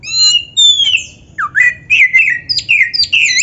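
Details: Oriental magpie-robin, black-breasted kacer, tutoring song packed with imitations: opens with long clear whistles including a pure gliding descent, then breaks into fast jumbled chatter of slurred, buzzy and whistled notes in quick succession.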